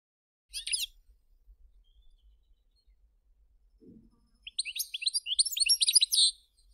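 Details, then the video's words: A kept European goldfinch (songbird) gives a brief tinkling burst, then after a pause a fast, liquid run of high twittering notes and trills. "Певчие птицы, Щегол. Songbirds Goldfinches."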